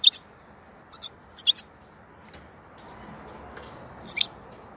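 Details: European goldfinch singing: short, high, sharp chirps given in quick pairs and triplets, separated by pauses of about a second, over a quiet background.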